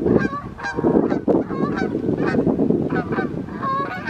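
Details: Canada geese flying at evening in summer or fall 2020, honking repeatedly: sharp nasal honks roughly every half second, several birds overlapping, above a steady low rumble.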